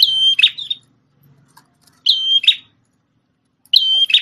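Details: Prinia with a red head, once used to tutor a magpie-robin: three loud phrases, each a level high whistle followed by a short rasping buzz, separated by pauses of over a second.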